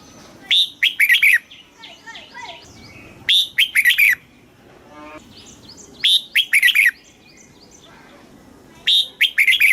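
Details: Caged red-whiskered bulbul in Thailand repeating a southern master-style phrase to stimulate other caged birds and teach young birds: loud whistled phrases about every three seconds, with softer chattering and twittering notes between them.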